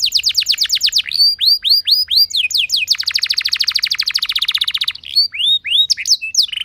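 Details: Continuous canary song meant to get other canaries singing: fast descending whistles, slower arched notes, a long dense buzzy trill of about two seconds, then scattered upswept whistles.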